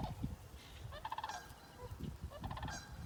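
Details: Sandhill crane in Ontario, the first one heard this year, calling in two rolling, rattled bursts over a low rumble of wind or handling noise.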